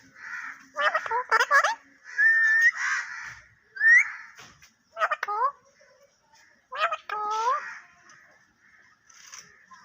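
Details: Talking parrot producing speech-like phrases: bursts of clipped syllables with rising and falling voiced tones, a few short whistled upslurs, separated by pauses, in a quiet small room.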